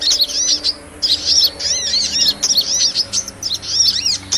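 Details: Sunbird ('kolibri') lure recording for small birds: shrill, rapid arched chirps in tight bursts, with a distinct gap after the first second, then steady twittering continues.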